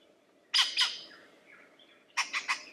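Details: Lyrebird song phrase: two harsh broadband bursts, a soft faint whistle between, then three more rapid harsh bursts at the end.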